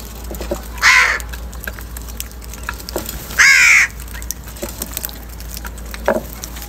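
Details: Morning crow squabbling over food gives two harsh, hoarse caws about two and a half seconds apart, the second longer and louder, over faint ticking background noise.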